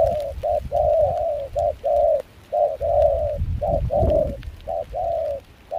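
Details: Spotted dove, a wild-caught trapping decoy with a mixed foreign voice, cooing in cold windy rain at Kon Tum; mellow paired phrases run almost continuously, partly masked by strong low wind buffeting.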